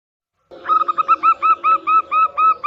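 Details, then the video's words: Local zebra dove song played as a lure to encourage a stalled or newly kept bird to sing: a quick run of about ten short whistled notes with slight bends, rapid and steady after a brief silent start. "pancingan burung perkutut lokal biar bunyi"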